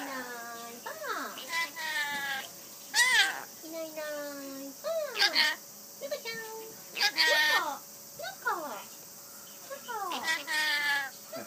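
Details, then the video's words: Rainbow lorikeet repeatedly voicing the Japanese peekaboo phrase "inai inai baa"; a run of rising and falling harmonic, speech-like phrases in bursts every second or two over about eleven seconds, with little other noise. "pretty Rainbow Lorikeet speaking いないいな〜いばぁ〜！"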